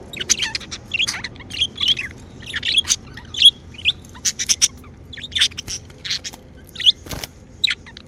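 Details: Pet budgerigars chirping happily: a steady stream of short, bright chirps and warbled notes, several per second, with occasional louder squeaks and a brief click-like noise near the end.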